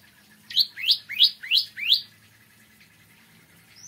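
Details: Morning song of a bar-winged prinia: five bright, upslurred chirps delivered evenly about three per second, then quiet with a faint rising note at the end.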